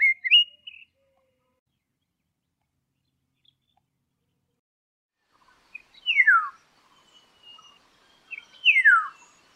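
Slender-billed Oriole giving a rich fluting whistle, then two loud downward-slurred whistles a few seconds apart, with a faint thinner whistle between them.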